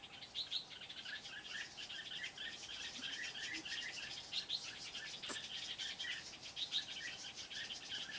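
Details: Trapping decoy red-whiskered bulbul at Kim Bôi, Vietnam, 8 September 2019, delivering a long fast chatter of short chirped notes and warbles, evenly repeated, with one sharp click midway and light background hiss.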